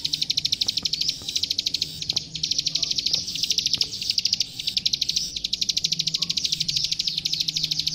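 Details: Plain prinia singing energetically as training material for young captive birds: repeated bursts of rapid, high ticking clicks, separated by short breaks, with faint low droning noise.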